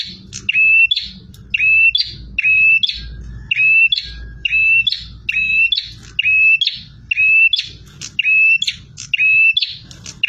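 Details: Bar-winged prinia in full, aggressive song: a high, sharp phrase of a clipped note and a brief level trill, repeated about once per second, loud and steady over faint low background rumble.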